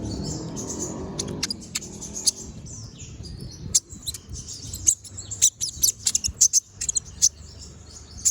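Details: Brown-throated sunbird, locally called konin, singing energetically in the sharp 'tembakan' style used as a master recording for training other birds: very high, short, piercing chirps in scattered bursts, faint low hum beneath.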